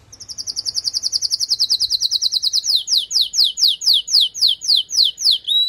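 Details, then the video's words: After moulting, a female canary calls to stimulate the male: a quick high trill of many short notes that slows into louder, separated downward-sweeping whistles about twice a second. "نداء انثى الكناري لتجهيز وتحفيز ذكر الكناري بعد غيار الريش"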